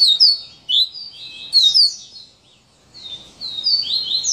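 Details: Double-collared seedeater, song of the "serra elétrica" type: quick high whistled slurred notes and short buzzy trills in fast phrases, a brief pause midway, then another run of rising and falling whistles.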